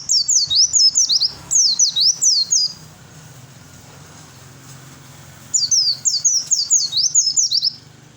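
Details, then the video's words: Oriental white-eye singing a fighting song meant to provoke other birds to answer: two bursts of rapid, high, sharply descending whistled notes, closely repeated, separated by about three seconds of quiet with a low hum beneath. "suara pleci fighter yang lain pasti nyaut !!!"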